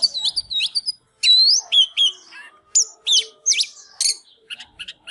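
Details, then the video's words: Singing Oriental magpie-robin in a fired-up dancing display: sweet looping whistles and sharp upslurred notes spaced by short gaps, ending in rapid soft ticking notes. "Chích chòe than LÊN LỬA || HÓT MÚA ĐẲNG CẤP"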